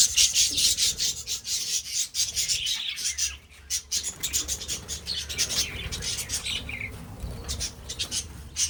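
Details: Several budgerigars kept for breeding keep up a busy stream of buzzy, high-pitched chirps and twitters, loudest at the opening and easing off midway before picking up again.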